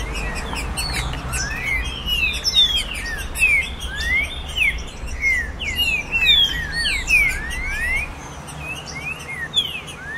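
Green-winged saltator song: a dense run of clear whistled slurs, rising and falling, overlapping in quick succession, over a low background rumble.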